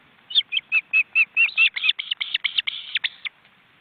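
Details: Osprey family at a webcam nest in an Estonian forest reserve, the chicks almost fully grown and flapping. A steady series of about fifteen clear, high whistled chirps, at first evenly spaced and then quickening and growing harsher.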